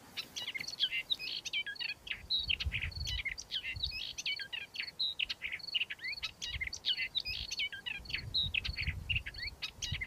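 An Upcher's warbler sings a fast, scratchy, unbroken warble of jumbled chattering notes, with soft low rumbles of wind underneath.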